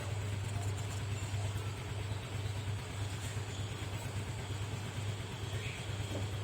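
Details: Only a steady, low idling engine hum with broadband rumble fills the recording; no animal calls stand out.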